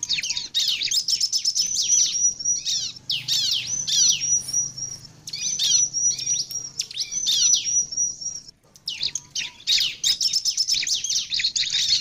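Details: Bar-winged prinia song used as a lure for other prinias: rapid, dense high chirping with a long, thin, sustained whistle running through the middle, a short break, then more fast scratchy notes; low hum in the background.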